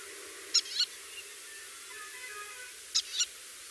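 White-tailed lapwing giving two sharp, high double-noted calls about two and a half seconds apart, with faint twittering of other birds in between.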